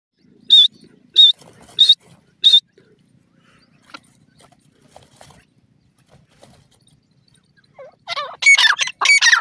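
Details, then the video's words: Grey francolin, described as a spirited bird, giving four sharp, high whistled notes about two-thirds of a second apart, then a pause with faint rustling before a burst of louder, harsher, rapidly repeated notes near the end. "joshela teetar sound, teetar ki voice, teetar birds ke awaz"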